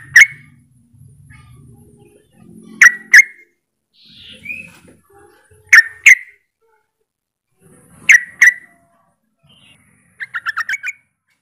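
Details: Yellow-vented bulbul luring rival bulbuls into answering: sharp chirped notes in pairs roughly every two to three seconds, ending in a quick run of six bubbly notes, with soft low rustling between.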